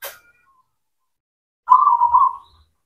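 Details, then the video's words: Zebra dove, local cemani variety, singing to stimulate doves that have gone quiet: a short click at the start, then one loud, pulsing, rolling coo phrase with a faint low hum beneath. "PANCINGAN PERKUTUT LOKAL, PERKUTUT CEMANI GACOR, AMPUH UNTUK MASTERAN PERKUTUT BISU"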